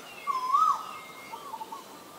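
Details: Single rising whistled note from a male Asian koel, short and clear, with faint background hiss.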